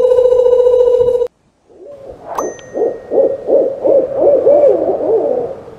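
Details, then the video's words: Owl calling: a steady sustained tone first, then a run of about eight wavering, mid-pitched hooted notes, each bending up and down, spaced roughly every third of a second. "SOM DE CORUJAS"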